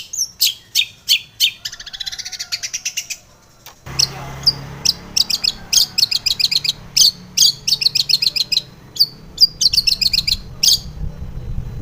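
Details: Female long-tailed shrike singing in the morning as a lure for caged birds: quick rattling trills and sharp chirps in steady succession, with a low background rumble entering partway through.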